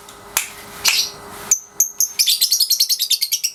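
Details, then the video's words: Young caged Pasjo lovebird, 3.5 months old, in daily ngekek training; a few scattered chirps lead into a fast run of repeated high, sharp notes, roughly four or five per second, building a chattering trill. "Love Bird Pasjo si Vicy Latian Ngekek Harian usia 3,5 bulan"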